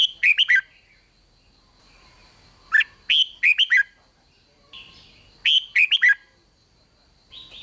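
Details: Red-whiskered bulbul singing the Thai 'rik' style meant to rouse other bulbuls: clear fluting phrases of several swift descending whistled notes, each burst under a second, returning roughly every two and a half seconds.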